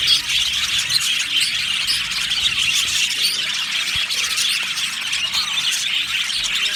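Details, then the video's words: Happy budgie colony in an aviary, dense, even chorus of high chirping and squeaky chatter from many birds throughout. "Happy Budgies chirping sounds | Budgies sounds"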